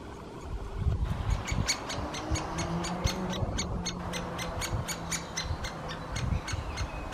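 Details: Great spotted woodpeckers on 24 May 2020 giving sharp, high, clicking notes, repeated about three times a second, over a steady low rumble of background noise.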